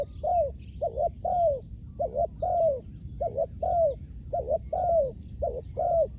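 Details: Spotted dove decoy calling for wild doves: rhythmic doubled coos, a short lead note then a longer descending croo, about once a second, with light distant chirps.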